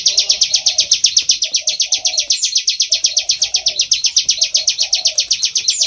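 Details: Bar-winged prinia in lively song, used as a lure call for prinias: a rapid, steady run of high, sharp chips, several each second, over low warbling phrases that come and go.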